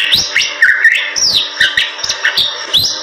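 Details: Lively Bali myna song for teaching other birds: sweeping whistles that rise steeply and drop, alternating with dry clicking notes in a brief, busy phrase.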